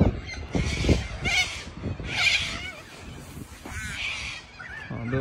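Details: Hundreds of white and yellow cockatoos descending on a sports field in Melbourne, Australia: loud, harsh, broadband screeches in three bursts overlapping one another, with low rumbling noise and a man speaking Thai underneath.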